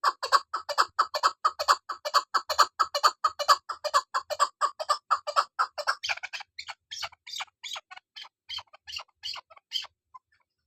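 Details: A female chukar partridge gives a quick series of gruff chuck notes for about six seconds, then the notes turn thinner, higher and more spaced before stopping.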